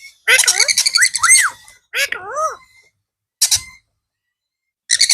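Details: Blue ringneck parrot, a talking pet bird, in a small room: harsh buzzy squawks with stacked harmonics, then wavering, speech-like modulated phrases rising and falling, repeated in short bursts separated by silences.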